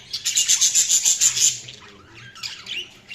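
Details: Budgies chirping in a fast run of bright, high repeated chirps for about a second and a half, then quieter mixed twittering and warbling notes.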